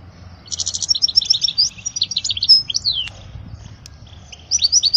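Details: Goldfinch song for young goldfinches to learn, opening with a buzzy trill, then tinkling twitters and a falling slurred whistle, a short pause, and more bright twittering.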